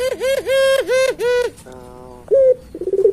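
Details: Puter pelung dove calling constantly: three quick looping coos in a row, then a soft harmonic hum. A brief rising note follows, then a fast stuttering roll.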